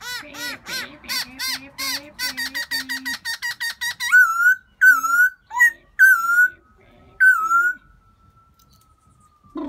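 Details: Black-throated laughingthrush seeking a new mate in spring: a rapid stuttering series of rich notes, then several loud upslurred whistles with pauses between, ending in one long fading thin whistle.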